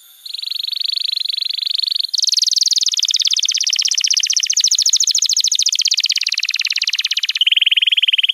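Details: Canary master song for training young canaries, a continuous bright high trill shifting through several rapid repeated-note phrases, from steady buzzy rolls to fast ticking series.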